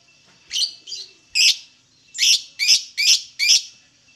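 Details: Lovebird singing in a recording meant to lure other lovebirds into calling: seven loud, sharp, high chirps in uneven succession, each a quick descending squeak, with short gaps between.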